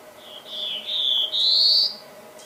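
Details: Song of a black-throated blue warbler: a short lazy buzz, then two louder buzzy notes, the final one rising and ending abruptly. A faint background hum is present.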